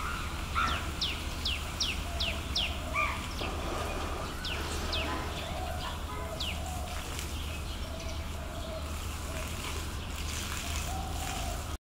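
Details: A common tailorbird in Yangon, Myanmar, in January 2021 gives sharp, high, repeated notes about twice a second, then more scattered. A steady low rumble and soft lower notes sit underneath.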